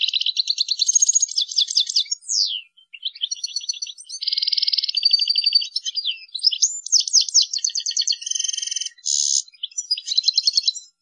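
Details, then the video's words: European goldfinch, Indonesian tutor recording of the 'ngrool tembak' song style: rapid liquid twittering, buzzy trilled runs and quick downslurred whistles in dense bursts, with brief pauses between phrases. "burung goldfinch tipe ngrool tembak"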